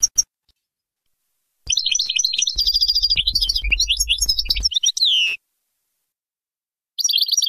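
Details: Goldfinch singing a tutoring song for chicks: bursts of rapid, tinkling twitters and quick trills that end in a drawn-out falling nasal note, with a low hum under part of the phrase and clean silences between bursts.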